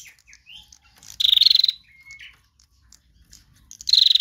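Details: Female bar-winged prinia, trotol style lure song: soft chips and a rising note lead into a loud, fast-pulsed buzzy burst, a thin level whistle, then another pulsed burst.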